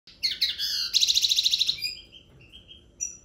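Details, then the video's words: Common linnet singing: fast twittering phrases of high, ringing notes, including a rapid buzzy trill of about ten pulses near the middle, then short whistled notes and a brief bright phrase near the end; quiet background. "Pardillo cantando el loco"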